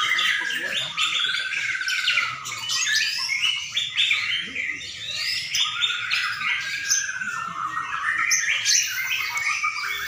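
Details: Contest-ring white-rumped shamas in Sidareja sing a continuous medley of clear looping whistles, quick trills and harsh chips, multiple birds interweaving, with faint voices of onlookers in the background.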